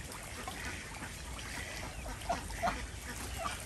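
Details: Desi ducks on a village farm in Andhra Pradesh, heard in the morning while their eggs are collected: a few short, nasal quacks near the end over a steady low rumble and background hiss.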